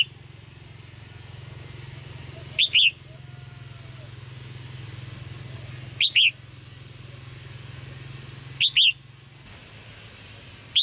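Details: Red-whiskered bulbul giving chirping 'jiak jiak' calls meant to stimulate male singing; sharp, high doubled chirps spaced roughly every three seconds over a steady low hum.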